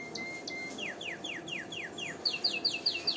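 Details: Training song of a canary, also played to stimulate females for mating: two thin whistles, a series of falling slurred notes, then louder downward-sweeping phrases repeated quickly.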